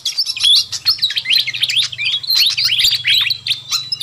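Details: Fantail flycatcher, noisy calling used as a lure for wild birds: an unbroken jumble of fast twittering chirps and quick slurred whistles, with a low hum underneath.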